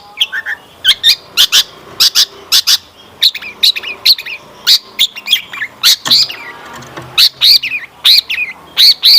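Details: Long-tailed shrike lure song, meant to make other shrikes reply and sing: evenly spaced loud sharp chirps and short squeaky phrases, roughly two or three per second, over a quiet background.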